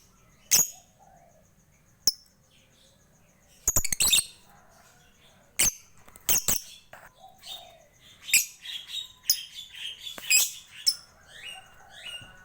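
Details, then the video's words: Lovebird in lively ngekek ngetik chatter, recorded as a master track to get other birds singing: sharp clicks and harsh high squeaks growing into a dense, rapid burst of shrill twittering over the last few seconds. "MASTERAN LOVEBIRD NGEKEK NGETIK GACOR COCOK UNTUK PANCINGAN BURUNG LAIN PASTI LANGSUNG IKUT BUNYI"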